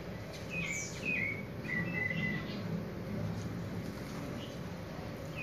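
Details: Caged Creamy-bellied Thrush practising its song category: short, loose whistled phrases, some sliding down, repeated unevenly, over a low rumble and a steady high insect-like hiss.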